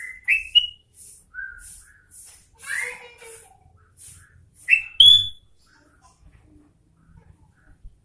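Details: Sooty-headed bulbul in vigorous song: bright rising whistled phrases, a descending slurred note, then a loud ringing upslur, with quiet pauses between and steady high hissing pulses behind.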